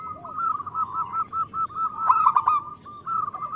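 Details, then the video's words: Local female zebra dove calling to the male, played to prompt males to sing; a near-continuous rolling trill of cooing notes at one pitch, broken midway by a louder, harsher burst. "Perkutut lokal gacor Terpancing Bunyi dengan Suara Perkutut Betina Memanggil Jantan"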